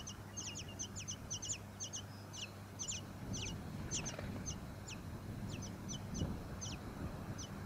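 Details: Tawny-crowned honeyeater recorded in Victoria, Australia, in September 2017: rapid series of very high, thin notes sliding steeply downward, often in quick pairs, over a steady low hum and faint rumble.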